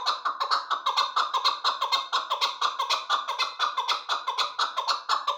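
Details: Hybrid chukar partridge kept for hunting, described as the best for hunting; a steady, rapid chorus of coarse chuck-chuck notes around two per second, rhythmic and unbroken for the whole stretch.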